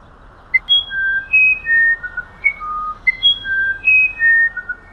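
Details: Loud, clean musician wren song of pure whistled tones, each held briefly and stepping between high and lower pitches. The phrase pattern repeats about every two and a half seconds in a quiet setting.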